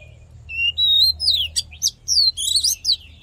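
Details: Fighting song of an Oriental magpie-robin, meant to excite males and train singing: a thin rising whistle opens, then rapid chirps and bright slurred whistles follow in quick bursts over a soft low background hum.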